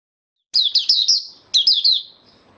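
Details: On 8 January 2022, a white-eye stabilizing its form opens its song with two quick bursts of high, sweet twittering notes, four then three, each slurring downward, over a faint hiss.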